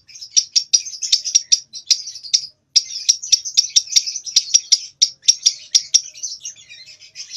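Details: Young lovebird about two months old, learning the long trilling song in short bursts; rapid chattering notes repeated in quick runs, with a brief pause midway and faint scratchy notes at the end.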